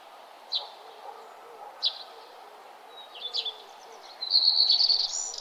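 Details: Sunrise on a nature trail with birds singing: isolated sharp chirps about once a second, then a loud buzzy high trill at the end.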